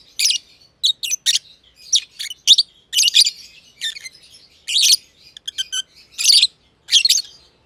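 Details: Two caged lovebirds, green personata and green pied personata, calling to each other; loud grating chirps and squeaky notes delivered in uneven bursts, some double, with a soft chattering undertone between them.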